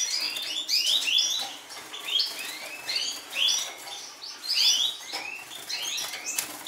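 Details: Wild Atlantic canaries from Madeira, kept in captive breeding, twitter in a dense, bright chorus of quick, high chirps, rising slurs and short trills, several birds overlapping with no clear pauses.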